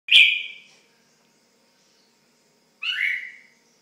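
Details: Red-whiskered bulbul, a pet bird, giving two separate clear whistled notes, each dropping in pitch and fading, with a gap of about two seconds between them.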